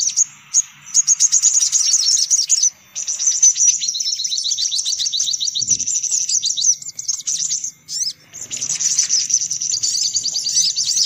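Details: High, hurried sunbird twittering used to lure sunbirds: sharp chips open into long, rapid, buzzy trills that overlap almost continuously, with one dull low knock midway.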